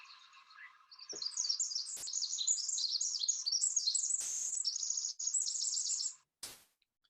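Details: Pacific wren (Troglodytes pacificus), a bird of shaded, moist places, sings in spring at Point Reyes, California: a long, high, tumbling song of rapid trills and tinkling notes lasting about five seconds, with faint knocks in the background.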